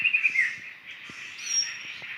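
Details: Laughingthrushes in a flock living wild in the forest of Sumatra: a few quick high chirps at the start, then a steady blurred chatter of many birds, with soft knocks and forest background.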